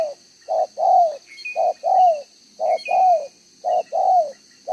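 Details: Spotted dove, 'đồng gáy 1 hậu' cooing style, double-row neck spots, 11 June 2023; steady paired coos, a short note and a longer downward-curving one, repeated about every second, with faint thin whistles from other birds.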